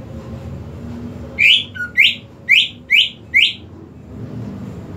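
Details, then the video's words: Greater green leafbird, caged, singing a run of five loud rising whistles, roughly two per second, with one short low note early on, framed by background rumble. "CUCAK IJO TAK KUNJUNG BERKICAU"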